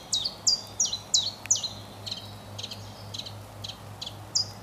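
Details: Common chiffchaff singing in a spring forest, its song given as a mating call: bright, high, downward-slurred chiff-chaff notes repeated about three per second, loud at first, then softer and more spaced, over a steady low hum.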